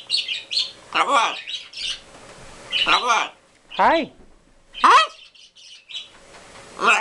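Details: Two green-winged macaws and a baby, a pair talking together with hi, hello, good boy and I love you. Several arched, nasal speech-like calls come about once a second, with brief squawks between them.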